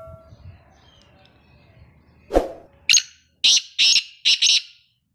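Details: Male black francolin calling: a single rasping note, then four loud, harsh, grating notes in quick pairs, a little over a second of calling, in near-quiet surroundings.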